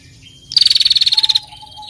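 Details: Female bar-winged prinia calling actively with a ngetirrr trill, used as a training recording to stimulate other birds: a single rapid, high ticking trill of about fifteen pulses lasting under a second, with faint thin whistles before and after.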